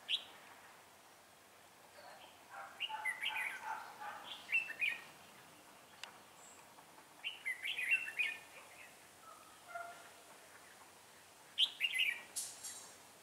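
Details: Decoy red-whiskered bulbul used to trap wild birds, singing frequently on 6 December 2016; a series of lively, jumbled warbling phrases, some clustered closely, others spaced by short pauses, over a faint background hiss.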